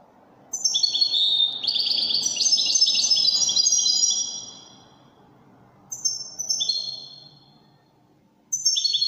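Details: European goldfinch in Moroccan Wydani song style delivers a lively three-second phrase of tumbling, metallic twitters, then quiet, then shorter bursts of similar chirpy trills.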